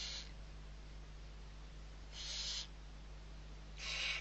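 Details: Six barn owl chicks at feeding time, Riet Vell reserve, Ebro Delta, Spain, 21 November 2023. Three rasping, snore-like hisses about half a second each, spaced roughly two seconds apart, with a constant low background hum.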